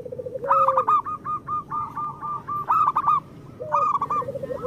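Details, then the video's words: Several local zebra doves cooing, a recording meant to get reluctant birds singing: fast stuttering coo series with sharp accented notes, beneath them lower rising and level coos. "Perkutut lokal gacor Masteran Perkutut Suara Kristal"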